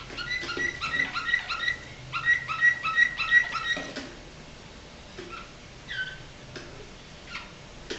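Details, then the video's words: Canary singing in the flawta song style, recorded in 2008: rapid bursts of repeated high chirping syllables, regular trilled phrases for about four seconds, then scattered short chirps over a low background hum. "Canari flawta"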